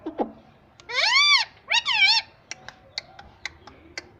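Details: Parrot indoors talking in Hindi: a short squeak, then two strong arched voice-like syllables around one to two seconds, followed by a series of brief clicks roughly every quarter second.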